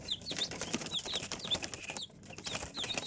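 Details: Baby chickens giving short, high, downward-slurred peeps roughly every half second, partly covered by continuous rustling and scratchy clicks.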